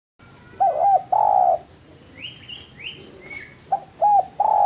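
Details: Master recording of a spotted dove: wavering low coos open the clip. A few higher, rising chirps follow in the gap, then another set of short coos and a sustained one.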